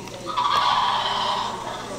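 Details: A sandhill crane in Lakeland, Florida, gives one rolling, rattling trumpet call lasting just over a second, with faint background hiss.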